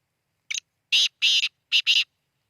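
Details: Loud harsh call of a black francolin in Khushab: a brief opening note followed by four rasping, buzzy bursts, the final pair run together, in a quiet setting.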